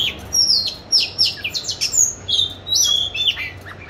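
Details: Caged oriental magpie-robin hung in an ideal spot to practise singing, recorded March 2021; clear high whistles and descending slurs in quick bursts, with a faint low hum behind.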